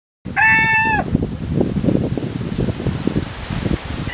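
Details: A pair of Philippine junglefowl, a form of red junglefowl, kept by their owner: one short, clear, flat-pitched harmonic call of under a second, followed by steady low rumbling background noise.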